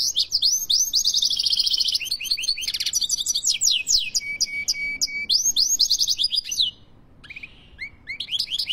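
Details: Algerian European goldfinch delivering a rapid, tinkling song of upslurred whistles, buzzy rattles and quick chirps, about three to four notes per second, with a short pause near the end before more scattered chips.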